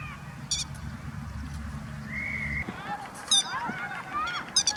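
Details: Grey-headed lapwing parent standing guard near its chicks in Kyoto, Japan, in late April; short, sharp, harsh call notes burst out three times, with a steady low engine hum and a brief whistled tone in the background.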